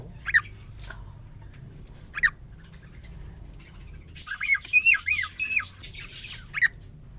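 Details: Caged male cockatiel courting a female just placed with him after three days alone; scattered single sharp chirps, then a short run of wavering whistled notes, with quiet room noise between.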